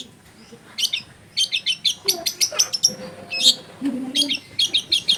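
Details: Long-tailed shrike in full song, recorded as a tutor track to provoke rival shrikes to sing. Rapid, uneven strings of sharp chattering and scratchy notes arrive more than once a second, with short whistled phrases mixed in.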